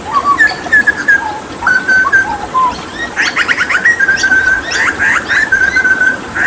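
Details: Hooded butcherbird from Papua singing actively during a water-bath session: clear whistled notes around steady pitches, some rising or dipping, mixed with bursts of sharp, fast chirps and sweeping notes.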